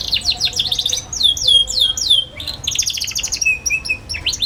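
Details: Young canary ngeriwik song, a lure for young canaries learning to sing: fast runs of high, down-slurred chirps, a short gap near the middle, then a rolling twittered trill. Soft background hum.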